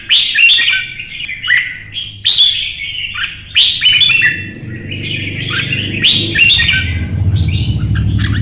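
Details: Red-whiskered bulbul of Vietnam in a fiery song contest, delivering loud, rapid warbled phrases punctuated by crisp clicks, about one burst per second; a low rumbling hum rises underneath toward the end.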